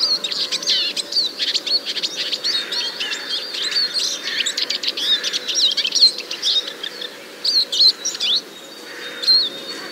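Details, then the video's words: Eurasian siskin song recorded with a parabolic microphone in Biryulyovsky forest park, Moscow, in early spring 2023: a fast, twittering warble of high chirps and trills with thin wheezy notes, running continuously for about ten seconds. "première chose que je veux partager, c'est que j'ai finalement réussi à enregistrer la voix d'un tarin."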